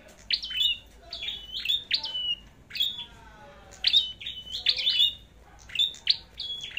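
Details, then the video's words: Competition song of a red-headed flowerpecker, a string of piercing high chips and short downward-sliding whistles ending in level tones, grouped in quick clusters roughly every second, against a quiet background. "Chim Sâu Đầu Đỏ Hót Đấu"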